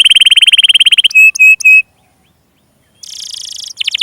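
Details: Canary song meant to stimulate young or non-singing canaries: a fast even trill, three loud pure whistles, a pause, then a dense rolling buzzy phrase.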